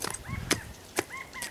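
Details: California quail, heard outside California, giving two short, slurred, arching notes about a second apart, partly masked by sharp chopping and scraping sounds from nearby landscaping work.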